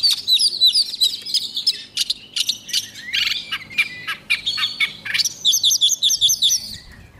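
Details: White-rumped shama singing its morning training song: a dense run of varied high whistles, trills and sharp chirps, phrases tumbling quickly one after another with brief pauses, faint low hum beneath.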